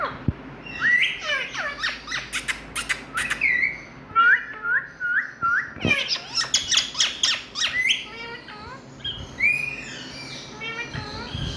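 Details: Loud calls from an Indian ringneck parakeet: a run of clipped, chirping whistles followed by a steady series of bent squawks about every half second, then sharp clicks and a rising screech.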